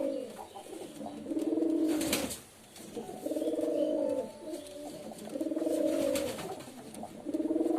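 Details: Low, purring pigeon coos in long rolling phrases, one after another, with a brief burst of broadband noise near the two-second mark.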